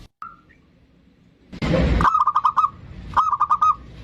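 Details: Zebra dove, bodronoyo type, singing as a lure to get other birds singing: one short coo, a quiet spell, a burst of rustling noise, then two quick bursts of staccato cooing notes.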